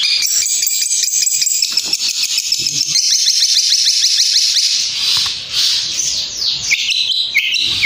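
A long-tailed shrike pours out a dense, scratchy, high-pitched song of rapid chattering notes and harsh rattles, with fast ticking strokes repeated about twice a second.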